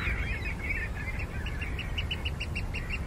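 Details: Eurasian curlew on the Ythan Estuary at Newburgh, Aberdeenshire, Scotland, at low tide on 7 February 2014, gives a run of quick, clear fluted notes speeding into a bubbling series over a steady rumble of wind and water.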